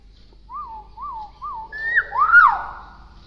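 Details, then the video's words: Tame, clever pet hill myna, said to imitate many words, gives three wavy whistled notes in a steady rhythm, then a louder rising and falling pair of whistles in a quiet room. "Beo Jinak Pintar Ngomong"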